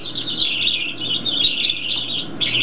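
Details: Baby budgerigar chicks, hand-fed four to five times daily, cry hungrily as their food is mixed. Continuous high, harsh, raspy begging chatter from several chicks, wavering in pitch without pause, with a brief louder burst near the end.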